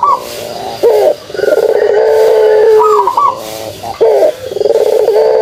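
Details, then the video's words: Pelung dove kugeruk: a short rising hoot opens into an extended level coo lasting about two seconds. The pattern repeats, with soft high bird chirps behind it. "suara kugeruk burung puter pelung"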